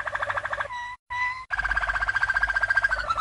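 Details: Waterslager (Malinois) canary, a champion bird from 1997, singing training song for young canaries: fast rolling, bubbling pulsed notes, a brief pure sustained tone, a short silent break, then a long rapid rolling trill.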